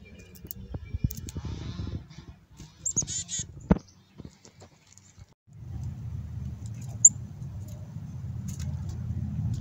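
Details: Black-capped chickadees, described as fluffed up and raspy, give a short burst of stacked, harsh buzzy dee notes, followed by steady low rumbling background noise.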